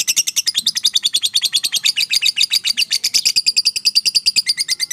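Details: Fighter lovebird delivering its long ngekek chatter: a dense, rapid, shrill rattle of high notes, loud and sustained for the whole stretch without a pause.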